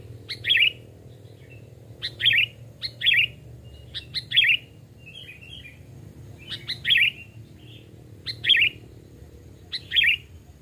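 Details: Sooty-headed bulbul used as a lure bird, hand-raised and two or three years old, calling in the forest. Loud rich chirped phrases about every one to two seconds, each preceded by sharp clicks, with faint softer notes between.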